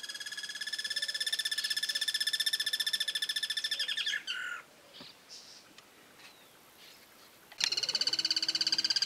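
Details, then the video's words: Call of a bird from the pigeon and cuckoo families, recorded in 2018: a long, high, harsh rattling trill of rapid repeated notes that breaks off, then a pause and a fresh burst of the same buzzing rattle. "Cantos y gritos de aves Familias Columbidae y Cuculidae"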